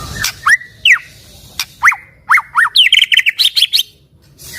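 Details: White-rumped shama song used to prompt other shamas to join in: spaced rising whistles and loud clicks, ending in a quick jumbled trill of high notes.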